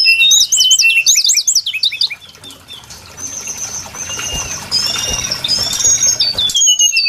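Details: Brown-chested jungle flycatcher song as a lure for trapping: rapid, high zigzag whistles in quick succession, then softer sustained whistles and a long descending note near the end.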